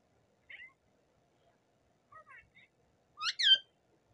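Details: Rose-ringed parakeet, a native talking bird, gives a few quiet, clipped chatter notes and then ends with two loud, rasping screeches in quick succession. The setting is quiet.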